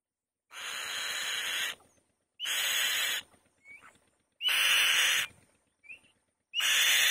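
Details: White-tailed kite on the nest giving harsh, raspy screeches about every two seconds, each lasting about a second, with short, rising whistled notes between them.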